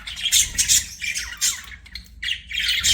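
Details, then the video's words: Short bout of budgie chirping: rapid harsh squawky notes and scratchy tweets, closely spaced. "BUDGIE CHIRPING SOUNDS"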